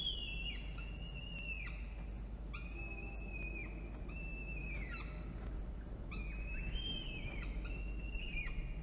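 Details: Peregrine falcons at a nest box atop a water tower in Orange, New South Wales, Australia, at midday on 24 October 2021, as the parents bring a starling and feed the chick: drawn-out whistled wails dropping in pitch at the end, repeated with pauses.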